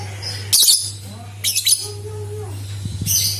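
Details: Lovebird lure sound meant to make other lovebirds sing: short, piercing, scratchy bursts, with faint soft tonal notes between them and a constant low hum behind.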